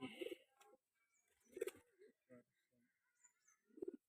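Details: Domestic pigeon, one of a pair of Metraj pigeons, gives low, throaty coos in short bursts about every two seconds.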